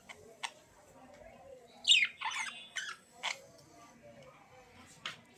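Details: Budgerigar giving a loud, grating squawk with a quick downward sweep, followed by a few scratchy bursts and isolated clicks against a quiet room background.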